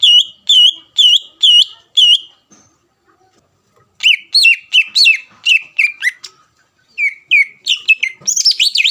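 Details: Greater green leafbird delivering provoking song to prompt a rival to answer: five evenly spaced ringing whistles, a pause, then a long lively series of varied slurred notes rising in energy toward the end.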